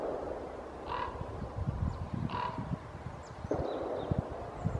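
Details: European green woodpecker in the Rega valley, Poland, giving two harsh, nasal single notes about a second and a half apart, over steady low wind rumble.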